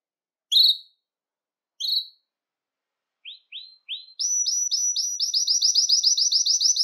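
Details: Belgian canary singing to stimulate males and bring females into breeding condition: two clear whistled notes, a few quick rising chirps, then a long rapid trill of sharp repeated notes, loud and even.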